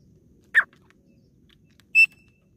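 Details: Calling female grey francolin (desi teetar), a sound used to draw birds in for hunting: one short harsh note followed by a clear, higher whistled note, with a faint hum behind.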